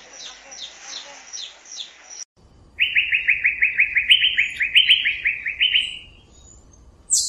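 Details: Song of the Asian fairy-bluebird: soft high chirps at first, then a loud fast run of identical rising whistled notes, repeated rapidly for over three seconds before stopping.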